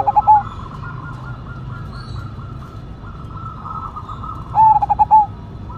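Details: Zebra dove (perkutut, Cemani Majapahit) singing with a big voice. A loud stuttering coo phrase ends at the start, and another comes near the end. Between them runs a soft chorus of gentle arched coos from other doves.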